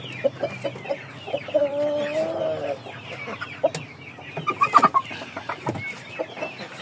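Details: Broody hen let out of its coop, giving one drawn-out nasal call with a few short clucks around it, while a man talks nearby.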